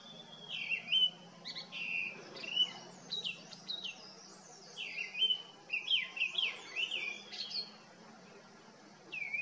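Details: Grey-winged blackbird singing cheerfully and tunefully in the Himalaya among foxgloves at a botanical collection: rich whistled phrases with quick twisting notes, delivered in short bursts with brief pauses.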